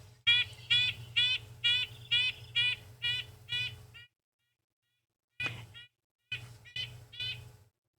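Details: Red-breasted nuthatch near its nest in spring gives short, nasal, tinny honks, about two per second in steady series, like a tiny horn or a truck backing up, over a low hum.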